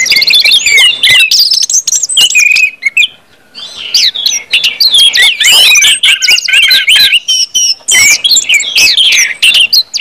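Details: Orange-headed thrush singing to stimulate other birds: a long, fast stream of mixed whistles, trills and mimic-like chatter with one short pause.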